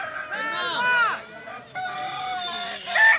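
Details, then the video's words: At a Kokok Balenggek crowing contest on a dairy farm in Solok Regency, a clear drawn-out crow breaks into several stepped syllables, followed by another crow and a sharp final burst, other roosters faint behind. "Lomba ayam kukuak balenggek di sirukam dairy farm kab solok"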